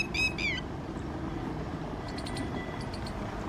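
Two sharp, strident notes from a red-wattled lapwing, the second sliding downward, then fainter chirps over a steady rumble of traffic.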